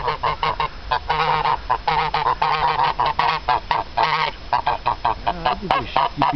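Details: Two geese honk almost without pause, loud nasal calls tumbling over one another in quick, uneven bursts, with only brief gaps between runs.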